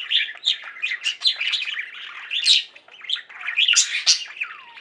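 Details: Pet budgie flock chattering indoors: busy mix of chirps, sharp squawky notes and warbles, with a falling whistle at the close.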